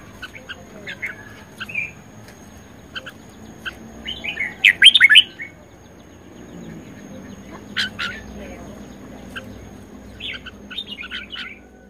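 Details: Red-whiskered bulbul in fighting song, a caged bird said to be fit for competition: short bright chirped phrases separated by pauses, one loud burst in the middle, and a steady faint high-pitched hum behind.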